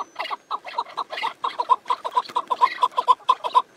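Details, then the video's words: Chukar partridge calling with a fast run of short, clucking chuk notes, about two per second, steady and evenly spaced for the whole stretch, each note mid-pitched with a bright buzzy edge; no other sounds stand out. "Keklik Sesi Yürek Hoplatıyor"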